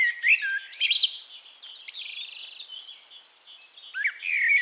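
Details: Wild Eurasian blackbird singing in Castricum, the Netherlands: fluty warbled notes around the start, then thinner high twittering and a final rising whistled flourish, with soft background bird chatter.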